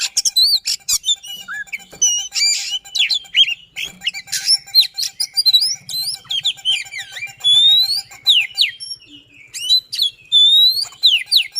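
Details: Fast, dense song of an Oriental magpie-robin, persistent and rolling, meant to trigger singing in magpie-robins gone quiet. Harsh chattering bursts open, then clear rising and falling whistles repeat in quick series over a steady low hum.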